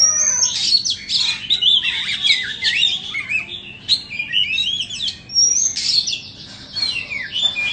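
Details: An Oriental magpie-robin of the 'than bông' form, caged and for sale, sings a long varied song: high whistles, dense scratchy chatter and slurred warbles in repeated bursts, with brief pauses between them.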